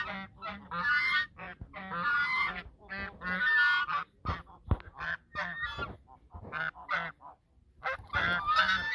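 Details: Geese calling in a duet at the mouth of the Sosúa River, giving loud, nasal, harmonic honks in rapid overlapping bursts that answer each other throughout, with short pauses between phrases.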